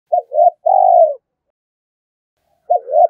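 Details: Spotted dove cooing in the morning to challenge a rival wild bird: a low, hollow two-part coo, a short dipping note then a longer falling one, with a pause before the next phrase begins.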